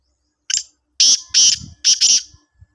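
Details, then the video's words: Black francolin calling in Sindh, Pakistan: a short harsh note, then three loud, grating, buzzy bursts in quick succession, the later ones doubled, over silence. "Kala Teeter"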